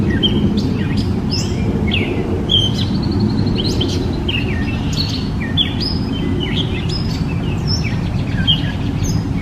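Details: Gray catbird singing amid heavy low rumbling noise: a jumble of short high chirps, squeaks and slurred notes, varied and rapid, scattered through the clip.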